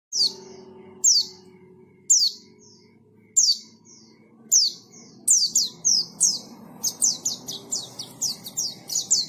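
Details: White-eye singing ngalas style, bright high descending chirps in a series, spaced about a second apart at first, then quickening into a rapid run of notes; faint low hum beneath.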